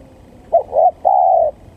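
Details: Spotted dove used as a lure call for trapping: a low coo of a short note, a swelling second note and a long even drawn-out coo, over faint background noise.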